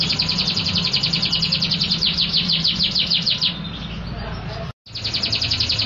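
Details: Canary in loud, full song, called gacor: a fast high trill of repeated notes that fades after three seconds, then resumes after a brief dropout. Steady low background noise throughout.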